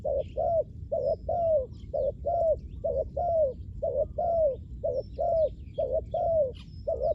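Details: Lure call of a spotted dove for attracting wild doves: repeated paired coos, short then long and sagging in pitch, about once a second, with soft distant bird twitters.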